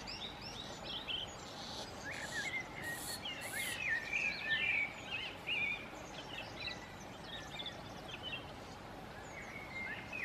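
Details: Common redstart singing to defend a territory with a nest while feeding young on insects, May–June 2018; short twittering and whistled phrases at mid-high pitch, scattered and irregular, over steady broadband background noise.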